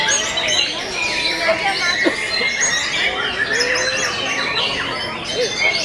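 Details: White-rumped shama, known locally as murai batu, caged at a song contest, third session, hanging positions 21 to 23: dense overlapping whistled phrases from several birds, rich rising and falling notes and quick trills filling the air without pause.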